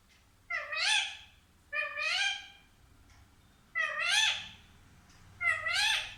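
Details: Pet parrot talking in four evenly spaced, harmonic, nasal phrases, each about half a second to a second long with a slight rise and fall in pitch, recorded in a quiet room.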